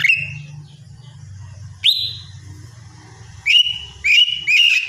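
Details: In the morning a lesser green leafbird whistles repeatedly, with each note snapping upward and then holding level. Later notes come faster and nearly run together, with a steady low hum behind.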